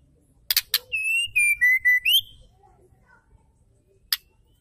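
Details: Female white-rumped shama, used to stimulate males to sing: a pair of sharp clicks, then a run of clear whistled notes gliding gently downward before a final upturn, one more click after a pause.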